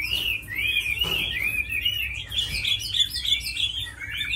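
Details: Tame Chinese hwamei, a good fighting and singing bird, whistling a smooth rising phrase, then a quick series of bright, clipped repeated notes, with a brief knock partway through.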